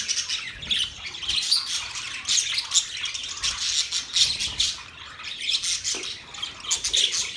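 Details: Parrots twittering and squawking nonstop, thin bright chirps layered into a dense, buzzing chorus.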